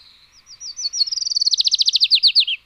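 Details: Adelaide's warbler, native to Puerto Rico, sings a high trill that opens with a few spaced notes and speeds into a fast run of rapid, evenly repeated chirps, rising slightly and then falling toward the end.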